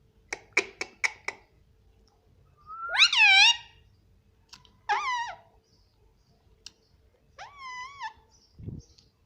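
A rose-ringed parakeet chatters in three short, speech-like phrases with a high, nasal voice that rises and falls, after a quick run of four sharp clicks. A soft thump ends it.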